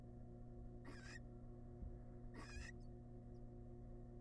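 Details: Barn owls, wild, inside a nest box during the male's arrival with a massive rat; two short, wavering hissy screeches, the second slightly longer, against a quiet background with a steady low hum.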